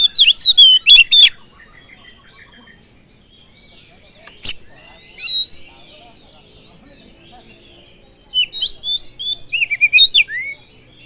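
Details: Oriental magpie-robin singing as a lure to provoke other birds: short bursts of bright whistled and slurred notes, separated by long quiet gaps, with a single sharp click in the middle.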